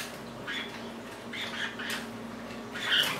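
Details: Pet lineolated parakeets kept indoors with companion linnies, one bird moving close to the camera; a few short, bright chirps at about half a second, one and a half seconds and three seconds over a steady low room hum.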